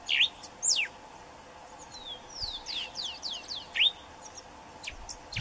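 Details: Yellow cardinal singing: loud, clear upslurred whistles near the start and again before the end, with a quick run of about six short descending whistled notes in the middle, over faint background chirps and a low steady hum.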